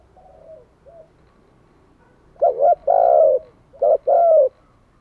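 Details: Decoy spotted dove cooing to lure wild doves: faint distant coos first, then a loud two-part phrase, a quick double note and a long rolling coo, repeated once.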